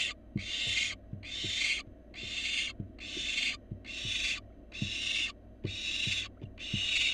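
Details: Wild barn owl fledgling in a nest box, delivered a rat: harsh hissing screeches, each about half a second long, repeated roughly once a second with low knocks and thumps between them.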